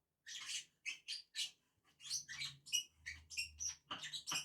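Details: Two lovebirds eating on a tree utter rapid, shrill, squeaky chirps in an almost continuous run, backed by a faint low hum.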